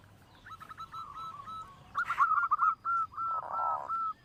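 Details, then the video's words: Loud-voiced local zebra dove used as a lure to set other birds singing: short rapid cooing notes in rolling phrases, then a strong series of quick repeated coos, with a brief noisy rustle and a low buzzing burst. "perkutut lokal suara besar"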